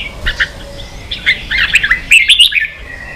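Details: Red-whiskered bulbul, a kept bird in Vietnam, provoked into an intense fighting song duel: quick bursts of bright warbled and whistled notes, some rising sharply, delivered in a loose, rapid stream over a faint low background hum.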